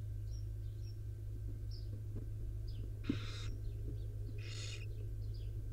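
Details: In a wild barn owl nest, a mother preens her five owlets; two harsh hissing screeches arrive about a second and a half apart after soft scattered squeaks, with a faint knock and constant low background drone.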